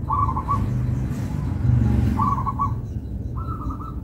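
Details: Local zebra dove singing melodiously. Three short clusters of quick, clipped coo notes are spaced a second or two apart over strong low-pitched rumble.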